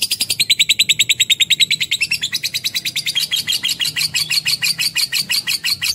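A lovebird chatters in a fast, unbroken run of sharp, high chirps, about three a second, growing slightly harsher and lower partway through.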